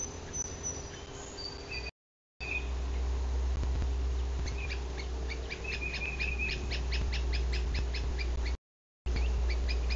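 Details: Male yellow-shafted northern flicker visiting a bald eagle nest in Bluff City, Tennessee, on a June 2023 morning, caught by a nest livecam: a fast run of sharp, evenly repeated notes lasting about four seconds, over steady low hum and short high trills from other birds.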